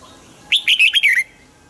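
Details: Single rich, warbling phrase from a caged red-whiskered bulbul: a run of about five liquid, slurred whistled notes lasting under a second, ending in a slight downward slide.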